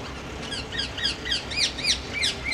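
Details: Rose-ringed parakeets in central London give shrill, screechy arched notes, three or four a second, several birds overlapping, over a steady low urban hum.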